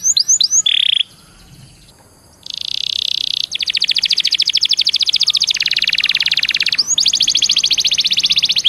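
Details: Singing canary meant as a lure for other canaries: a few short upslurred notes, a brief trill, a pause, then long high buzzy trills rolling on for several seconds with slight shifts in pitch.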